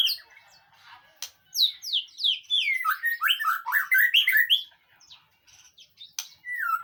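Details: Training recording of a white-rumped shama to provoke an answer; a fast loud run of descending slurred whistles and sharp chirps in the middle, quieter scattered notes before and after.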